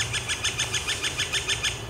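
Northern Flicker giving a fast, even series of bright, ringing notes, about six to seven per second, with a faint low hum underneath.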